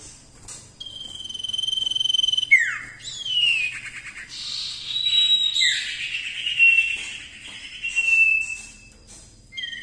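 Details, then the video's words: Common Iora singing loud, clear whistles: long drawn-out notes, a falling slur and rapid trills, all high-pitched and repeated over several seconds. "cipoh gacor"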